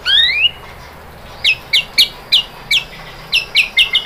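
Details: White-rumped shama (murai batu) lure song with tembakan material: a rising whistled opening, then a pause, then about nine short, sharp, downward-sliding notes repeated at roughly quarter-second gaps in a clean, quiet recording.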